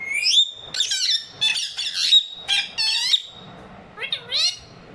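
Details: A pet pair of talking ringneck parrots, kept indoors with Urdu/Hindi-speaking owners. Harsh, buzzy, speech-like squawks in rapid bursts, with bending harmonic notes and a longer bout of rising chatter.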